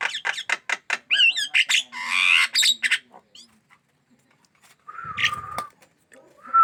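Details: Caged black-winged myna in full song and fierce toward hands: rapid clicking and chattering notes, a burst of harsh grating noise, a pause, then a level whistle over a low rasp and a final clear whistled note.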